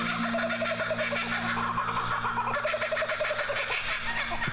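Laughing Kookaburra giving rapid, chuckling runs of repeated notes that rise and fall like raucous laughter, over a steady low hum.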